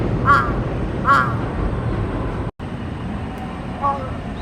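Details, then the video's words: Crow with an odd call gives two harsh, nasal notes about a second apart. After a short cut-out, a weaker note comes near the end, all against constant traffic noise. "不思議な鳴き方のカラス A crow with strange sound"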